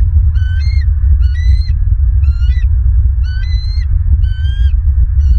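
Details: Bald eagle at its nest in Southwest Florida, recorded 16 December 2022 around 13:42, giving repeated short series of high, squeaky, upslurred chitters about once a second, against steady loud low-pitched wind rumble.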